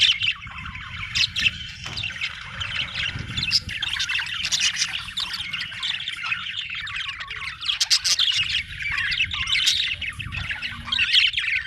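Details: Australian budgies in a busy chorus of chirps, warbles and sharp clicks that runs without a break, with occasional louder bursts and a low background rumble.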